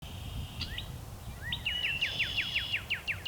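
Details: Male Northern cardinal singing before sunset in spring: two slurred notes, then a quick run of about ten sharp down-slurred whistles at three per second, over a steady high tone and low rumbling background noise.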